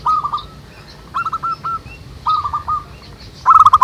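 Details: Zebra doves singing in the wild as a lure for other doves: short groups of rolling cooing notes at spaced intervals, a louder, denser trill at the end.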